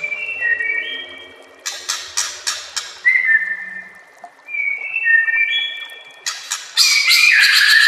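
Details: White-rumped shama master song with nature sounds and trickling water: clear stepped whistles, bursts of clicks, a repeated descending whistle phrase, and a loud harsh burst at the end.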